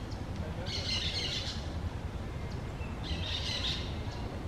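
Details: Two raspy, grating screeches from green parakeets that found their nest, roughly two and a half seconds apart, heard over a constant deep background rumble outside.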